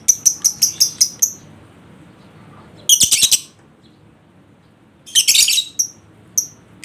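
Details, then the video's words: Lovebird sound to provoke a lazy lovebird into singing: a quick run of six sharp high chips opens, followed by two long bursts of dense, harsh, shrill chattering. "Atasi Lovebird Males Bunyi Dengan Pancingan Ini Pasti Respon Di Jamin Ngekek"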